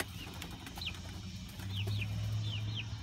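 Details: Light Brahma chicks about a month old exploring their new coop run outside, giving several sharp, high, downward-sliding peeps in quick succession over a low background hum.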